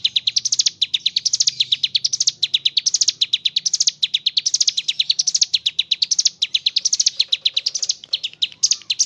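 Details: Mountain leaf warbler (ciblek gunung) singing in the energetic ngebren style with kapas tembak phrases worked in: rapid high, thin chipping notes in rising bursts, repeated nonstop for about nine seconds.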